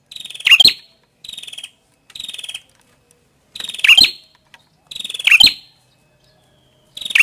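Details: Red-headed prinia: buzzy rattling trills alternate with harsh, cracking chip notes in irregular bursts, with clean silence between phrases.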